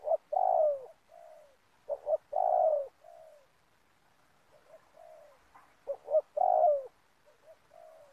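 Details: Recorded while trapping spotted doves among oil palm plantations. Loud three-part coos, two short notes then a long sliding one, alternate with quiet, breathy low coos in the pauses.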